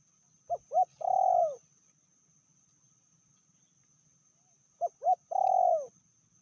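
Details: A female spotted dove, fiercer than the male by the keeper's account, gives a medium-pitched phrase twice: a pair of short upward notes leading into a sustained coo that drops away at the close.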